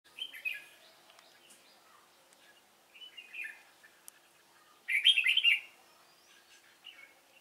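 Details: Red-whiskered bulbul of the Cánh ruồi type used as a decoy while trapping wild bulbuls, 3 March 2017: short bright warbled phrases, quiet pauses, then a louder rapid chattering burst near the end.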